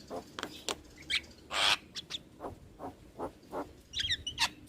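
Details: Starling song played as practice material for young birds: scattered clicks and rasps, a broad harsh burst, and a short run of high whistled notes near the end.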